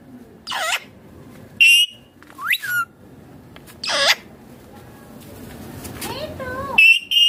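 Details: Green ringneck parrot, an Indian rose-ringed parakeet, vocalising while eating food: scattered short, shrill calls with sharp up-and-down sweeps and a few clipped squeaks, separated by quiet gaps over a low background hum.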